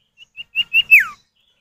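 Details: Male and female common iora calling back and forth, used to lure other birds into song: a few short whistled notes that grow louder, ending in a bright note that drops steeply in pitch.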